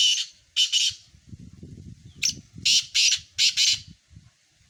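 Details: Black francolin calling in a mixed recording: loud, grating, high-pitched notes grouped into runs of two to five harsh bursts, with a low rumbling background between phrases.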